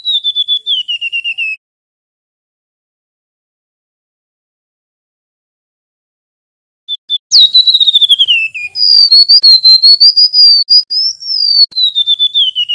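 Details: Male mangrove whistler delivering rolling whistled song: a falling beaded trill, a long pause, then short notes, a sweeping whistle and a sustained stream of rapid, wavering high pulses that rise and fall before trailing downward.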